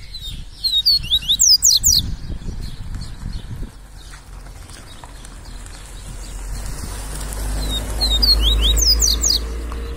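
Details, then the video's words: A double-collared seedeater sings in the tui tui viviti style, described as singing all day long. Rapid, sweeping, high whistled notes come in a quick burst at the start and again near the end, with a man speaking Portuguese and background hum between them. "PAPACAPIM TUI TUI VIVITI LINDO"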